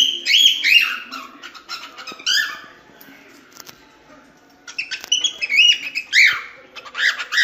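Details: Cockatiel training song for teaching chicks to sing: bursts of rapid warbled chirps and rising whistled notes, a quiet pause in the middle, then another lively twittering phrase.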